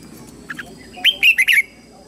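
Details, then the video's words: Red-whiskered bulbul lure bird calling wild birds in to fight, giving two soft short chirps followed by a loud phrase of four fluty, down-slurred whistles run closely together. "Chào Mào Mồi Hót Gọi Bổi Về Đấu / Chào Mào Hót Đấu chim Trời"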